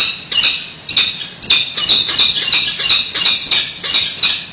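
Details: Peregrine falcons at a San Francisco nest, 28 May 2017, during a nest exchange: loud, almost unbroken harsh, screechy calling, notes running together every half second or so, captured on a live webcam.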